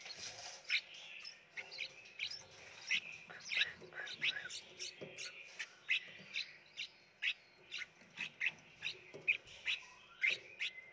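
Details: Red-whiskered bulbul chicks in a nursery box in Phetchaburi, Thailand, begging as they are hand-fed: sharp, high chirps repeated about every half second, several nestlings calling over one another, with faint rustling underneath.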